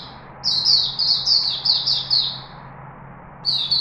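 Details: Chickadee singing in Singapore on 4 March 2021, a brisk string of about eight high, bright, downslurred notes, a short pause, then the start of another phrase, with a low steady hum behind.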